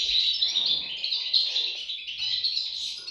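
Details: European goldfinch chicks in a loud, constant high twitter, notes blurring into one thin, buzzy wash of sound.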